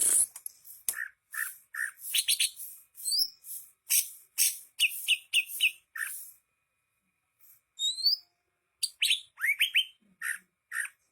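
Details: Greater green leafbird singing vigorously: rapid bursts of bright chirps and sharp whistled notes, some rising slurs and high sweeping whistles, in quick phrases separated by brief pauses, with no other sounds.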